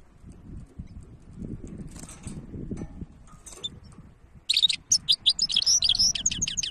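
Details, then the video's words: Goldfinch hybrid bursting into loud, fast high twittering with sharp chirped notes in the last two seconds, after a quieter stretch of low rumbling background noise. "تغريد وابداع هجين الحسون ولا اروع"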